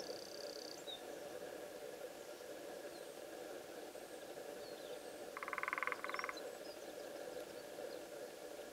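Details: A lesser spotted woodpecker (Dryobates minor) drums on a wooden pole at ESA Castelo Branco on 16 February 2013 to mark its territory: a quick, even roll of taps under a second, then a brief second burst, over a droning chorus of frogs or insects.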